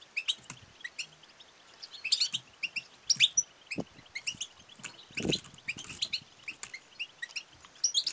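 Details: Female European goldfinch's distinctive calls, 'batbata' and 'sestesa', used to rouse silent males to sing and breed; steady stream of high, tinkling chirps in clustered bursts, with a few low knocks.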